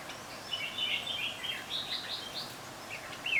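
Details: A bird on a balcony, believed to be a bulbul, gives a run of quick, bubbly chattering notes at mid-high pitch over about three seconds, ending in a brighter phrase, against a soft background hiss.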